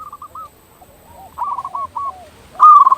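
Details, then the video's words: Local zebra dove singing, used to prompt other zebra doves into calling and raise breeding drive: soft, broken cooing phrases, then one loud stuttering coo at the end. "Perkutut lokal gacor suara paling ampuh untuk pancingan burung perkutut agar cepat bunyi"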